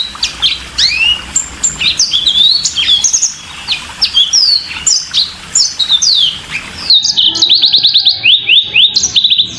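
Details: Yellow-fronted canary singing a fast, continuous run of high chirps and downslurred whistles, then rapid repeated rising notes in the last few seconds.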